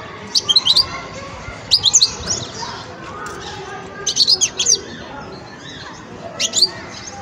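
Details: Young European goldfinch in the song-learning stage, giving short bursts of high, thin twittering notes, about four separate phrases spaced a second or two apart, over a steady low background hiss.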